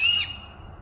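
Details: A great horned owl in Western Washington gives one brief, harsh screech that is high and strained. It cuts off quickly, leaving a faint background hum.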